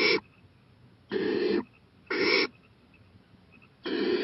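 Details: Night-time owl on a porch, April 23, 2018, growing bolder and watching a playground; four broad, grating hisses of roughly half a second each, separated by silent gaps near a second long.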